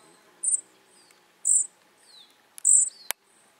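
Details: Flycatcher chicks utter three sharp, high, hissing squeaks spaced about a second apart, interleaved with thin descending whistles. A couple of sudden clicks are heard near the end.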